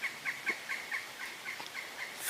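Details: A Pileated Woodpecker, heard approaching and apparently flying around overhead, gives a steady series of about ten clipped, nasal notes, roughly four per second, faint against a quiet background, on a partly sunny June 19 morning.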